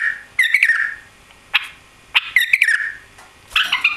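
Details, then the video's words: Caged white-eared bulbul, newly arrived and tailless, giving short bubbly warbled phrases ending in falling whistled notes, three bursts with brief silences between. "White-Eared Bulbul Song"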